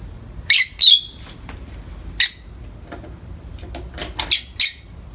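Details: Peach-faced lovebird basking in morning light: scattered short, shrill chirps and squeaks at irregular intervals, one dropping into a brief whistled note, with quiet gaps between bursts.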